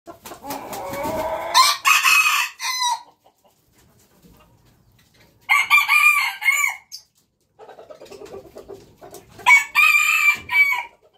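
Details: Jungle fowl rooster crowing three times, each crow a loud, harsh, multi-part call lasting about a second and a half, separated by a few seconds of near silence. Softer clucking runs before the first crow and just before the last.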